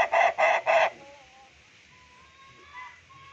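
A laughing chicken gives a quick staccato crow of three loud, nasal syllables in under a second, then near quiet with faint thin tones behind.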